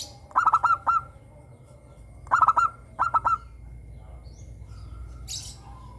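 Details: Crystal-voiced local zebra dove, captive, sings lure song meant to set other doves singing. Three short bursts of quick ringing staccato notes arrive within three and a half seconds, then near silence.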